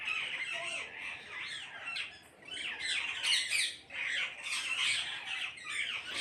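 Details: Parrots in a group calling all at once, a steady wash of raucous screeching squawks overlapping with one another, with louder bursts coming in waves.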